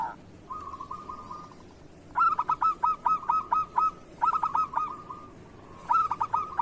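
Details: Local zebra dove (perkutut lokal) in kerot singing style, used as a training recording for other doves; a soft purring trill gives way to three bursts of rapid, clipped staccato coos, around seven notes per burst.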